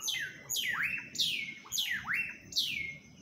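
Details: Audubon's oriole calling with bright, downward-sliding notes, each followed by a short rising slur, repeated roughly every half second in a clean recording.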